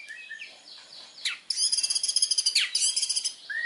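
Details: Indonesian white-rumped shama song: soft low whistles, then a sharp downslurred note and a long, dense, high-pitched stuttering trill, ending on a rising whistle.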